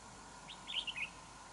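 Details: Wild red-whiskered bulbul near a trap with a decoy bird, in a territorial fight; one short warbled phrase of quick rising and falling chirpy notes, about half a second long, over a steady low hum.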